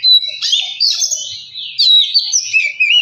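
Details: Short burst of Oriental magpie-robin song played to trigger singing: clear whistled slides mixed with buzzy, scratchy notes in quick succession.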